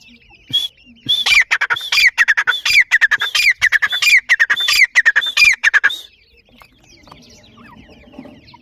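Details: Young grey francolins calling among family birds: a burst of loud, scratchy, downslurred squawks repeated rapidly for about five seconds. The squawks then stop abruptly, leaving faint low background noise.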